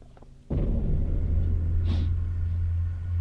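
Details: Deep, steady low rumble begins abruptly after half a second and holds to the end, with a brief hiss partway through; no animal voice heard.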